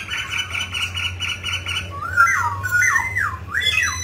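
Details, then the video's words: Grey laughingthrush, described as a mutant, in song with dancing: a run of rapid harsh repeated notes followed by looping whistled phrases that rise and fall, over a low hum. "Chú chim khứu xám tro đột biến hót múa cực đẳng cấp"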